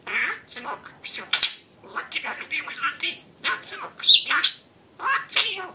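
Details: Caged pet budgerigar chattering imitated Russian words indoors, a fast stream of scratchy, high, speech-like syllables with brief sharp whistles, continuing almost without pause.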